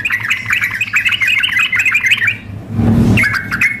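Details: Contest-simulation mix of sooty-headed bulbuls, a female calling a male and an excited singer: busy run of bright chattered notes for over two seconds, a noisy rushing burst, then chirping resumes.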